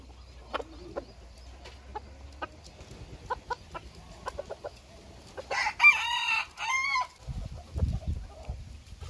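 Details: Bored bantam chicken that wants out: scattered short clucks for several seconds, building into two loud, drawn-out, harmonic squawking calls back to back, then a low thump near the end.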